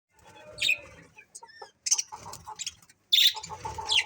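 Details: A happy colony of budgerigars chirping: scattered short high chirps and squeaky notes come in bursts, with a busy burst of chatter near the end and faint low rumble below.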